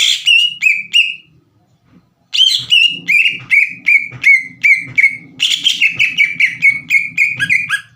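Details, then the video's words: Green leafbird song played as a lure to stir rival leafbirds into singing: bursts of sharp whistled notes that drop in pitch, repeated roughly three per second after a short silence, with a low hum underneath. "PANCINGAN CUCAK IJO GACOR AGAR CUCAK IJO BAHAN IKUT BUNYI"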